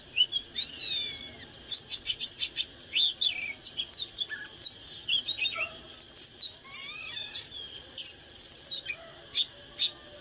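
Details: Oriental magpie-robin, song of the căng lửa (fired-up) kind while dancing: busy stream of sharp clicks, rich whistles and rolling slurred phrases, varied and almost continuous, a faint steady high tone behind.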